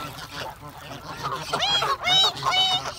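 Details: Geese calling: a few rising-and-falling nasal honks come in the second half, some overlapping, over a constant low rumble and hiss.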